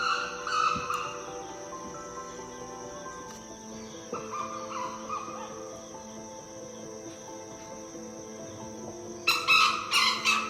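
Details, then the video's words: Junglefowl give harsh, clipped crowing calls in short bursts near the start and again in the final second, heard in a silent forest while waiting in a tiger's usual area on safari in Tadoba Andhari Tiger Reserve, Maharashtra; soft music behind. "അവൻറെ സ്ഥിരം ഏരിയയിൽ പോയി കാത്തിരുന്നു അന്നേരമാണ് കാട്ടുകോഴികളുടെ ശബ്ദം കേൾക്കുന്നത് നിശബ്ദമായ കാട്ടിൽ ആ ശബ്ദം മറ്റൊരു അനുഭവമായിരുന്നു"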